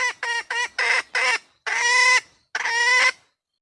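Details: A red junglefowl hen calls for a mate. Five short, clipped, nasal clucks are followed by two long, drawn-out squawks with pauses between them, on a quiet background.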